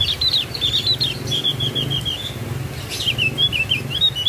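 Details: Javan white-eye delivering a rapid high warbling twitter, slurred notes running together in a wavering chain, pausing briefly and then resuming; steady low hum underneath.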